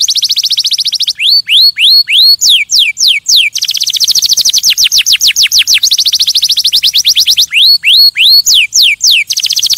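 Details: Singing canary used to stimulate other birds: long fast trills of falling notes broken by sets of rising whistled upslurs and quick downsweeps, bright and continuous.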